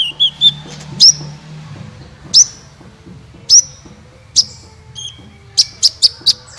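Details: Sunbird recording for prompting other birds to sing: a few thin notes, then bright single chirps spaced roughly a second apart, ending in a quick series of four sharp tweets.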